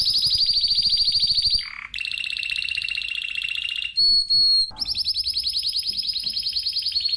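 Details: Spanish timbrado canary delivering long rapid trills, a short low buzzy note, two clear high whistles, then another extended pulsing roll.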